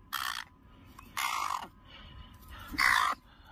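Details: A released bird, now living outdoors near its former owner and fed daily, gives three loud, harsh, raspy crow-like squawks about a second apart, calling while wanting a stick or pebble; person speaks faintly.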